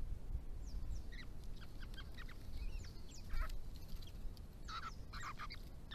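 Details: Grey-crowned babblers, an endangered Victorian species, in a family group drinking and bathing at water on a rural property during hot weather, calling to one another: scattered squeaky chips and slurred notes, then denser chattering bursts near the end.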